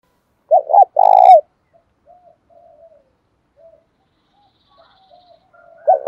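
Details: Spotted dove giving thúc and gáy calls, with a house decoy bird cooing back vigorously: two short notes and a long rolling coo, then quiet distant coos, and another phrase beginning at the close.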